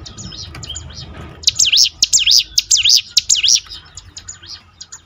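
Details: Ciblek gunung, the bar-winged prinia, singing as a lure to prompt other birds to sing. Faint notes at first, then a loud burst of sharp, rising-falling zigzag whistles repeated about twice a second, fading again near the end.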